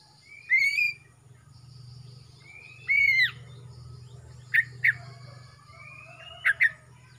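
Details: A young male greater green leafbird from Kalimantan, moulting from speckled juvenile plumage, sings loudly: clear rising whistles that bend and drop, followed by short sharp chips in pairs, all over a constant low droning hum.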